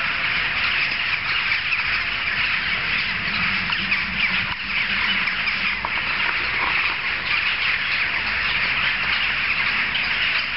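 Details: Noisy jackdaw gathering heard from several streets off; countless overlapping harsh chattering notes form a steady roar, briefly dipping around the middle.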